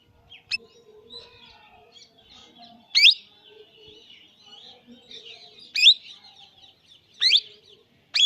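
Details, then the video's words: Young Indian parrot repeating loud sharp rising screeches at irregular intervals of roughly one to three seconds, over soft continuous chattering and low murmuring notes. "Beautiful Indian Baby parrot Sound"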